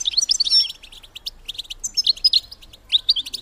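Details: Female European goldfinch calling to excite males into mating, a brisk run of high, liquid twittered notes and short whistled slurs, closely spaced throughout.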